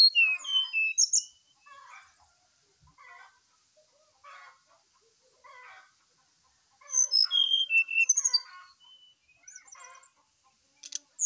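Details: Brown-chested jungle flycatcher singing hard in the morning as a lure for other birds: loud whistled phrases that open and recur midway, separated by soft, scratchy chattering notes.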